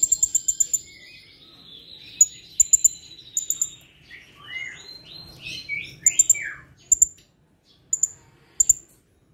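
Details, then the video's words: Singing Blue-crowned hanging parrot reacting instantly to a lure: a fast run of shrill high notes opens, then paired piercing ticks spaced through the clip around a stretch of lower, falling, buzzy warbles. "Serindit / Srindit gacor , pancingan langsung nyaut"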